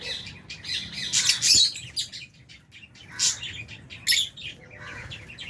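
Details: Albino and Fisher's lovebirds feeding together in an aviary, with budgies present, give a busy flock chatter of high, sharp chirps and squeaky bursts, loudest in clusters near the middle and again toward the end.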